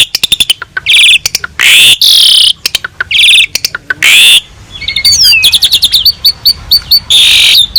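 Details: Jalak suren, the Asian pied starling, singing a rich, varied master song for tutoring other birds: rapid ticking series, loud grating bursts, then bright trilled and rising whistles run together.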